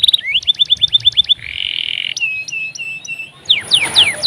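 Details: Tutor song of a canary, meant for teaching other birds, with rolling trills and chirps: quick repeated high notes, a sustained buzzy trill, a series of swooping whistles, then sharp descending chips.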